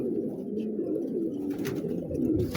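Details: Rare fancy coloured pigeons kept by pigeon fanciers, looking for a new home, coo in a soft, low, murmuring run, with rustling and clattering noises around them.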